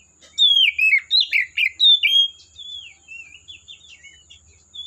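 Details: Oriental magpie-robin in the forest pouring out a quick series of loud downslurred whistles, followed by softer, wavering twittered notes.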